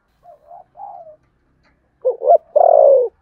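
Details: Spotted dove in contest cooing, 'Sấm Thổ' style: two soft, low-level coos, a pause, then a loud phrase of two rising notes and a long, throaty, falling coo.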